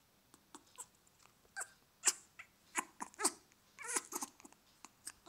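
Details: Echo, a 2-year-old male grey parrot, gives soft, short squeaks and clicky chirps about one a second, some wavering upward, with faint breathy sounds; he makes this noise right after regurgitating, which the owner knows is mating behaviour.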